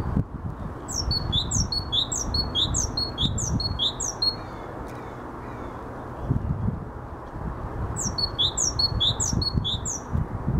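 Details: Great tit (Parus major) in Helsinki, Finland, in May 2013 sings two runs of its bright, ringing, high three-syllable phrase, repeated quickly, over a steady low rumble of wind or distant traffic.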